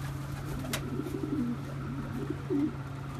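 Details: Oriental Frill pigeons (blondinette, satinette and seraphim varieties) give low, soft, rolling coos in short bursts, one near the middle and another near the end, over a steady indoor hum and a sharp click.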